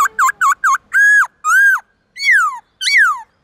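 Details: White-cheeked laughingthrush in the morning, singing many forest voices for young birds to copy. Four quick V-shaped notes lead into two long level whistles, then two downward-sliding whistles.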